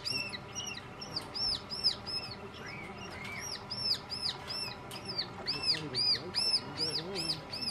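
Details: A young Alpine chough at Rochers de Naye begs for food with high, arched, squeaky notes repeated about twice a second, with a few lower rising calls mixed in and faint voices behind.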